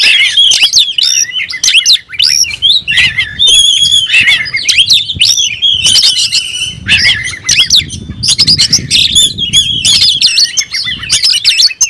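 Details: Oriental magpie-robin pouring out a long aggressive song with tail spread to challenge a rival; continuous harsh squawky notes mixed with whistles and rapid chatters, some ringing tones, low rumbling noise in places.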